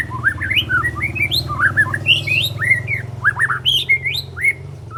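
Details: Speckled white-rumped shama youngster aged three months learning to pour out imitations and sharp sounds: loud, rapid, jumbled whistled twists and upslurs, delivered without pause.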